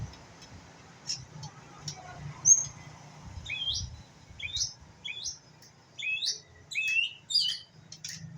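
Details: Young white-rumped shama, pistol-tailed type, learning to sing: after a lone high note, a repeated series of short downslurred whistled phrases, roughly one every half second, growing busier toward the end.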